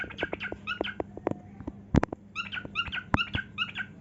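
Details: Cockatiel singing during a dance, its repeated harmonic chirps mixed with loud sharp clicks and taps scattered through the passage.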